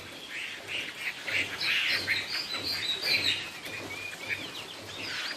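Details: Chinese hwamei singing in the 'cao cầu' style: a run of rich, varied whistled phrases that rise and fall, slightly distant and softer than the low background hiss and faint hum.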